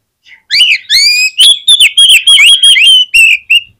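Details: Oriental magpie-robin in vigorous song, used to get other magpie-robins singing quickly: a loud, piercing string of whistled phrases, rising and warbling notes delivered about three per second without pause for three seconds.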